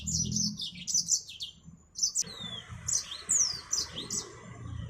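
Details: Lively high song of a yellow-fronted canary, known as Mozambique finch: a stream of quick chirps and short downslurred whistles in tight bursts, with light low background noise.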